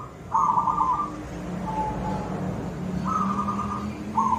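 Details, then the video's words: Silver zebra dove in lively koong-style song: a loud quavering coo, a soft lower drawn-out note, then two more rolling coos, with a low buzzing drone in the background. "perkutut silver gacor suara koong"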